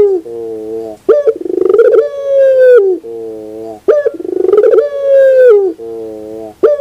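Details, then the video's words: In the morning, a puter pelung dove repeats its coo: a low steady note, a crisp rising note, a fluttering trill and a long even tone, the cycle recurring roughly every three seconds. "the beauty of the sound of puter pelung in the morning"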